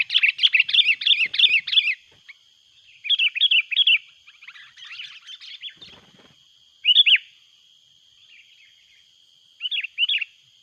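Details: Noisy sooty-headed bulbul calling as a rival comes in, recorded loud for luring: several bursts of fast bubbly chattering notes, the first lasting two seconds, then shorter two- and three-note phrases separated by pauses.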